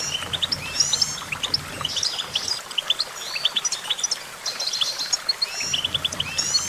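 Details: Busy twittering goldfinch song of quick high chirps and thin slurred whistles, thinning out midway before picking up again, with faint background noise.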